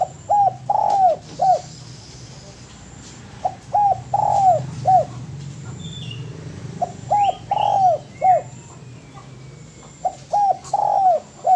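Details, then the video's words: Spotted dove song used as a master recording for training birds: repeated phrases of three or four mellow cooing notes, the middle one stretched, sounding roughly every three seconds, with brief high chirps of other small birds and a low background hum. "MASTERAN DERUK YANG PALING DI CARI BANYAK ORANG"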